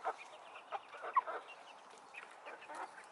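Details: Chickens and roosters kept in a coop: soft, scattered clucks and short murmuring notes from several birds, quiet and irregular over a low background hiss.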